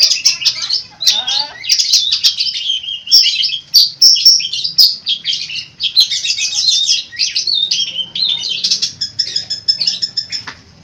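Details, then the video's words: Long-tailed shrike singing a long, busy run of mimicked phrases, dense high twittering and chattering notes running together almost without a break, with rattling trills near the end. "burung cendet gacor full isian unik"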